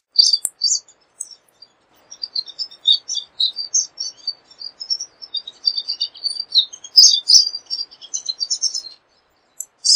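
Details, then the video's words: Thin, high twittering from a pine siskin: scattered sharp chips at first, then a dense, irregular chatter of quick notes for several seconds on an otherwise quiet background. "Pine Siskin Song! Pine Siskin Call! Pine Siskin Sound! - Jilguero De Los Pinos Canto"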